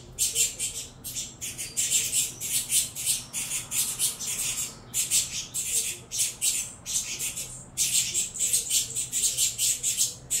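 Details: Noisy saffron finch chicks, bred from a Venezuelan cross in captivity, begging as they are fed; rapid rasping high-pitched calls pour out in long runs broken by brief gaps.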